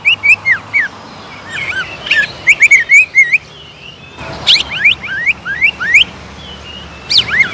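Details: Greater green leafbird stirred into aggressive song: loud slurred and curling whistles in irregular phrases, mixed with sharp high chips, with short pauses between bursts.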